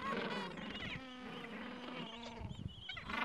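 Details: Gentoo penguins calling at the edge of a breeding colony in the Falkland Islands, on a mild afternoon, adults tending two-to-three-week-old chicks and nests; overlapping harmonic braying and chattering voices from many birds at once.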